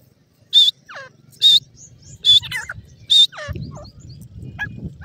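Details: Female teetar, a grey francolin, calling beside fighting chicks: four loud, brief, shrill high notes spaced about a second apart, with downward-sliding whistled slurs between them; low rumbling noise rises in the final seconds.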